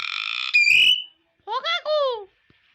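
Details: Talking common hill myna, a caged bird offered for sale, producing speech-like phrases: a loud buzzy tone ending in a rising whistle, then a pause and two voice-like harmonic syllables falling in pitch.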